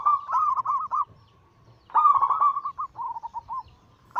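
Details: Several zebra doves, Bangkok local and cemani katuranggan silver crosses, giving anggungan song as a daily prompt for other doves. Fast, bubbling coo runs in two long bursts, with a steady hum between them.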